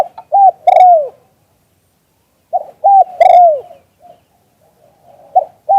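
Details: Spotted dove calling in the auspicious "liu tan" style, recorded live: low three-note cooing phrases, a short note, a flat held coo and a long downward-sliding final coo, repeated about every two and a half seconds, with soft murmurs between.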